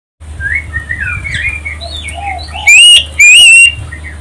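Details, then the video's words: Oriental magpie-robin song used as a lure to provoke other birds into answering and singing: soft warbled notes, then two loud, clipped whistled phrases rising and wavering, over a faint background of other chirping birds. "pancingan kacer ampuh tercepat nyaut langsung gacor"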